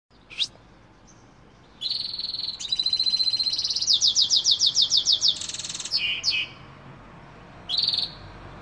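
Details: European goldfinch singing: bright high twittering phrases, nasal buzzy notes and a fast rhythmic run of repeated liquid chirps, separated by short pauses, with no other clear sounds.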